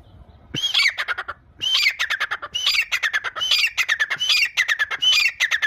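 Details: Grey francolin, locally called teetar, calling loudly and harshly: squawking, rasping phrases that start with a rising whistled note, then run into rapid repeated chattering syllables, about six phrases in under six seconds.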